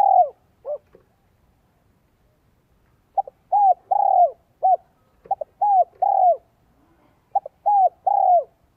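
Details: A spotted dove used to lure wild birds gives its 'giọng son 1 cốt lỡ' coo. Four phrases come in quick succession, each a clipped introductory note and two or three soft, descending coos, with a clean quiet background.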